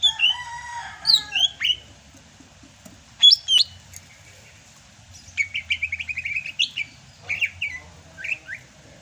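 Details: Rainy-season song of a Sumatran greater green leafbird, still in full voice: a rich opening flourish of harmonic whistles, then sharp notes and a fast run of repeated chirps, ending in scattered slurred whistles.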